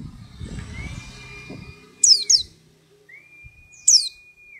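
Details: White-eye singing two weeks after being chosen from a crowded bunch: soft rustling first, then a long level whistle, a pair of sharp high downslurred chirps, another sustained whistle and a final chirp.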